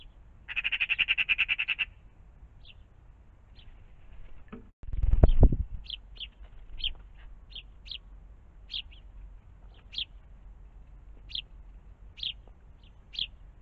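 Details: Magpie in the morning around a pond: a loud harsh rattling chatter of rapid clicks lasting about a second, then a thump and a series of short thin high chirps spaced roughly a second apart.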